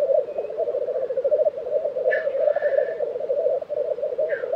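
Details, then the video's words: Low, dove-like bubbling from a black grouse lek in Tiveden, Sweden, April 2023, flows without pause. Two brief hissing sneezes cut in, one midway and one at the end. "Black Grouse Lek - sound recording"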